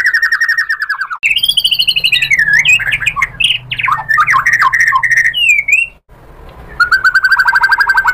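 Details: White-rumped shama fighter-style lure to provoke rival replies: a descending whistled tone, then a dense jumble of harsh squawky notes and warbles, a brief silence, and a rapid buzzy trill closing.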